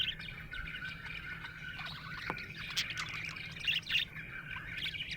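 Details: Happy budgerigar warbling in a soft, continuous chatter of buzzy chirps and short whistles, with a few sharper clicks and a low steady hum underneath.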